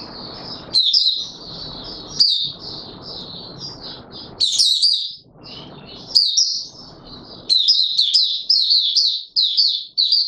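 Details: Oriental white-eye in courtship mode, recorded 25 January 2022 after sleeping late the night before: high, thin warbling phrases of rapid slurred notes, broken by short pauses, over a soft low rustling background.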